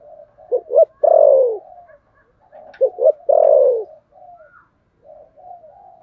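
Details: Contest-cooing spotted dove in the thổ sấm style. Two phrases, each made of two quick stressed notes leading into a long, loud, descending coo, are separated by quiet humming murmurs. The background is clean.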